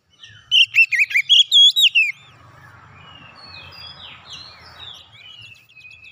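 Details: Oriental magpie-robin song to get a silent bird singing steadily again: a quick string of loud whistled and chirped notes ending in a falling slur, followed by soft distant chirps over faint background noise.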